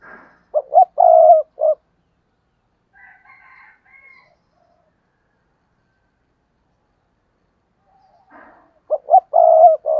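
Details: Spotted dove used as a decoy, calling to lure other doves. Two low four-part phrases about eight seconds apart, each with a long purring middle note, and soft higher notes heard in the gap.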